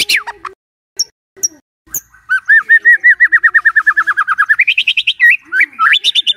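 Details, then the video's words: Morning White-rumped shama song played to draw a silent bird into song: scattered sharp clicks, then a long fast trill of repeated notes that jumps higher, ending in looping whistled phrases. "Pancingan PAGI-PAGI AGAR MURAI GACOR❗sekali coba murai DIAM langsung bunyi"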